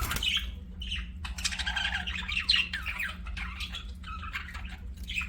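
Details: Pet budgie chirping in a lively, uneven stream: short squeaky notes and grating warbles tumble over one another, with quick pitch slides and little gaps between bursts, over a low background hum.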